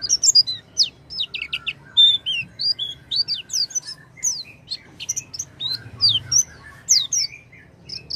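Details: Oriental white-eye song played to prompt a quiet white-eye to sing: a lively stream of high, varied chirps and down-slurred whistles, some paired, continuing throughout with soft lower tones.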